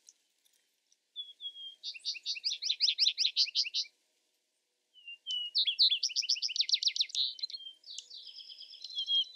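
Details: Vesper sparrow song in two bouts, each opening with soft introductory notes and then a loud, rapid trill of bright chirps, with a buzzy twittering close to the second bout.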